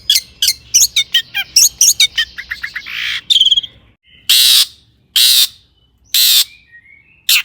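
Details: Long-tailed shrike song played to make other shrikes sing: a fast string of sharp ticking chips, then three long, loud rasping screeches spaced about a second apart.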